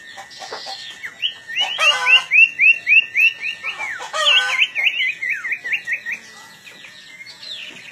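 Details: Long-tailed shrike in full chattering song before being set to fight, delivering a rapid run of repeated, evenly spaced whistled notes, about three or four each second, with a steady high tone in the background.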